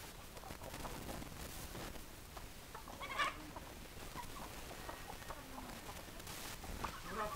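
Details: Chickens called with their favourite feed give scattered short clucks and a couple of brief, louder squawks against a steady hissy background with a hint of a human voice.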